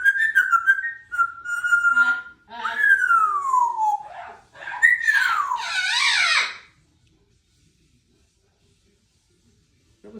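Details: Female Congo African grey parrot, two years old, a talkative pet kept indoors, practising for her birthday; whistles a tune of gliding notes, held tones then long falling and rising slides, ending in a rough squawky phrase, followed by silence.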